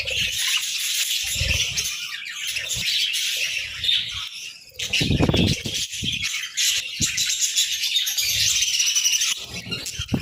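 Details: Budgerigars chirping on a morning: steady scratchy warbling and tweets from several birds, interrupted by a rush of wing flaps around the middle.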